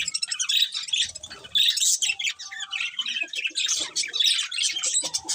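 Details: Chattering budgerigars give high warbled trills mixed with harsher squawky notes and short squeaks, calling continuously in overlapping bursts.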